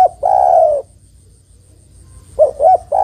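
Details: Female spotted dove calling for the male: first the end of a long drawn coo, then a pause, then a fresh phrase of two short coos starting into another long one, over a faint steady whine.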